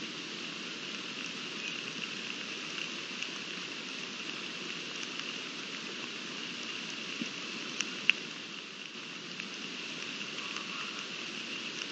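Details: Steady rain-like hiss with scattered drops and clicks, no animal voice heard.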